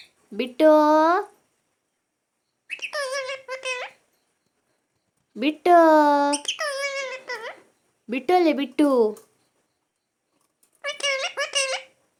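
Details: Talking parrot giving a series of drawn-out, nasal, strongly harmonic word-like calls in separate bursts, some rising and some wavering, indoors with quiet pauses between the phrases.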